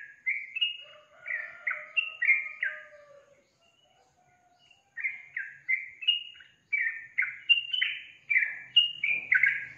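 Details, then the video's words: Energetic yellow-vented bulbul song: repeated gurgling, downslurred whistled notes, about three a second, with a faint low drawn-out tone underneath, a silent gap, then another run of bright bubbly phrases. "SUARA BURUNG TRUCUKAN GACOR"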